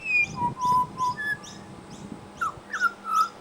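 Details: Pied butcherbird mimicking other birds at a bird sanctuary, giving a few short whistled notes of steady pitch and then lower, downslurred whistles, with faint hum underneath.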